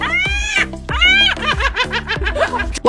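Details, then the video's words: Seagull giving two loud, mewing cries, each a falling wail, followed by quicker yelping notes, all over steady background music. "This is a seagull. Its call sounds like this."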